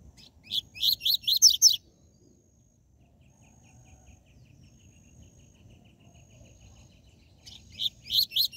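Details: Rusty-collared seedeater, 'tui tui zel zel' song style used to excite captive birds; a burst of quick, loud repeated chirps, a silent gap of nearly six seconds, then the rapid chirping resumes.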